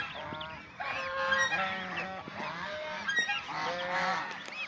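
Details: Several domestic Chinese swan geese calling together while playing, bathing and fighting, with repeated loud, nasal honks overlapping in a steady, noisy flock chorus.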